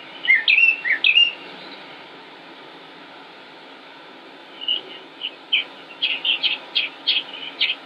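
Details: Northern mockingbird singing in Concord, North Carolina, United States, 25 May 2016: a quick cluster of looping whistled notes, a pause of several seconds, then a series of short sharp chips repeated at a steady pace.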